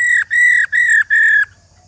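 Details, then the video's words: Female white-browed laughingthrush, old and wild-caught, calling in the rò style meant to excite males to sing: four steady, buzzy, harmonic notes in quick even succession, then quiet. "KHƯỚU MÁI RÒ GIÀ RỪNG /Kích Trống Hót Căng"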